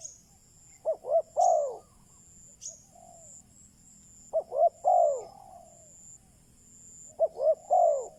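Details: Decoy spotted dove drawing in wild doves, giving three cooing phrases a few seconds apart, each two short notes and a long falling coo, with a steady high hiss and a couple of clicks.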